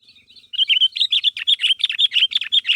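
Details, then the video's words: Sooty-headed bulbul calling to make other bulbuls answer, used as a lure: a rapid run of bright chirped notes, about five per second, after a few faint opening notes. "Suara Burung Kutilang Gacor Memanggil Temannya Agar Bunyi"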